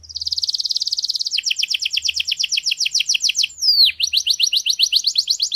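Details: Canary song in a garden, opening with a very rapid high trill, shifting to a quick series of chirped notes, then a sliding downward whistle followed by more fast, bright repeated phrases.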